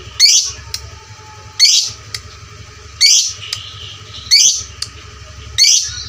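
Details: Lovebird sound used to train fighter lovebirds: loud harsh squawking bursts about every 1.3 seconds, five in sequence, with quieter short chirps between them and a low hum underneath.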